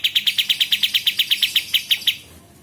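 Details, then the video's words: Sooty-headed bulbul (kapas tembak), recorded as master audio for training murai batu, cucak ijo and kacer: a fast run of about sixteen sharp, evenly spaced high chips over two seconds, then quiet. "KAPAS TEMBAK Masteran Murai Batu dan Cucak Ijo serta Kacer"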